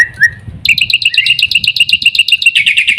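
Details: Black-winged myna with a short squeaky whistle, then a fast, buzzy, high trill of stacked notes running steadily to the end, over a low rumbling background.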